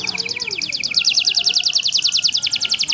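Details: Small canary singing a competition-style song with a typical cengkok ornament: a fast, steady trill of bright high notes repeated about three to four times a second, unbroken throughout.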